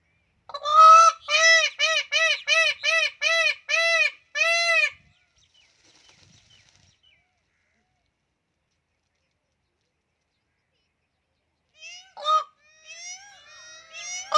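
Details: Indian peafowl in the Thar, peacocks dancing, giving a quick series of about eight loud, nasal, arched honking notes over four seconds, then quiet with softer bird calls near the end.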